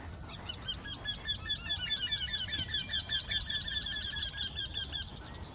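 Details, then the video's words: Two Eurasian wrynecks singing in the same tree create a dense, slightly overlapping series of nasal, repeated notes that build and hold for about five seconds before fading. "Göktyta sång. Wryneck Song. Wendehals Gesang"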